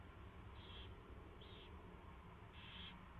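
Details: Owl heard at its nest at 4:21 AM on 24 February 2016 while a mouse is brought and fed; three rapid hissing high calls within three seconds, the last one longest, over mechanical hum.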